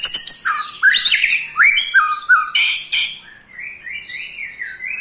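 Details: Harsh provoking trill of an eight-month-old white-rumped shama, aimed at riling other shamas: rasping notes mixed with sliding whistles, loud bursts alternating with quieter phrases.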